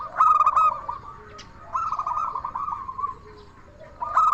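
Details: Local zebra dove singing its crystal-toned song, used to provoke other doves into answering: a sharp ringing burst, then a long rolling trill of fast coo notes, then another loud clipped burst.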